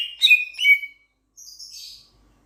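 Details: A Sulawesi myna, a loud-voiced starling from Sulawesi, utters two or three harsh, slurred notes in quick succession. These are followed by a softer, high, thin rasp after a brief gap.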